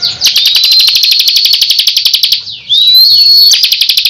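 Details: Bar-winged prinia 'tembakan' song: an even, rapid run of high chips lasting over two seconds, then a loud rising whistle and a renewed burst of chips.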